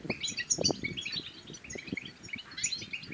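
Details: Goldfinch song recorded in Morocco, meant to prompt silent males to sing and to court females; rapid high twittering and chirps throughout, over low thuds and knocking in the background.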